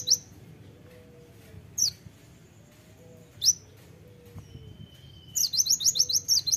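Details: Spaced single high chips from a kolibri ninja (konin), a thin level whistle, then a rapid closing burst of sharp, high repeated notes; faint low background whistle.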